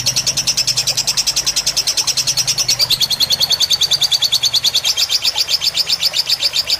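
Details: Fighter lovebird tutor recording with water in the background: a continuous, rapid chirping chatter that dips slightly lower midway. It stays steady for nearly seven seconds, with a low watery hum beneath.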